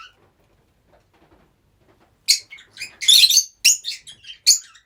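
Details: Several rosy-faced lovebirds kept together as pets; after two quiet seconds, a burst of shrill, harsh, high-pitched squawks and chirps follows, several overlapping in a dense cluster before shorter sharp calls.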